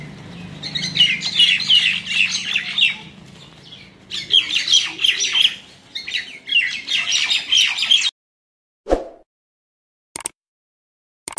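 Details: Common mynas fighting at Talepur, Kalatia, Keranigonj, Dhaka, Bangladesh: dense bursts of harsh squawks and chattering chirps, pausing briefly then resuming, with a low hum beneath; the clip ends in near silence with a few clicks.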